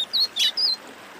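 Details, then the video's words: Wing-barred seedeater (Sporophila americana) singing, giving three quick, high, thin chirped notes in just over a second, each slightly warbled, over faint background hiss. "Esquenta Pintada"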